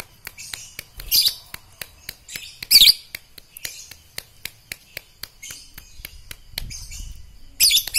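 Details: Lovebird being trained as a fighter for song contests: bursts of high, buzzy chattering chirps break in between a steady run of sharp dry clicks, with faint voices behind.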